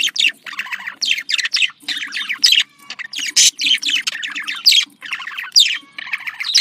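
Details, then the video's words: Budgerigar chatter played to bring pet budgies into breeding condition: repeated warbled phrases of fast scratchy trills and squeaks, about twenty bursts a minute, soft hum underneath. "dişi muhabbet kuşu kızıştırma sesi erkek muhabbet kuşu kızıştırma sesi budgie sounds"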